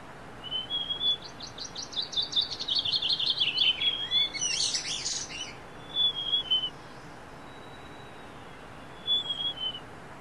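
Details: Niltava in the wild at dawn in forest, giving high, thin whistled phrases with downward slides, three separate bursts over ten seconds, overlapped near the start by another bird's rapid, buzzy, repeated trill and a harsh chatter.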